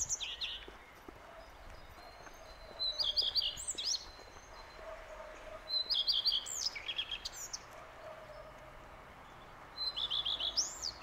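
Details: Common redstart (Phoenicurus phoenicurus), song.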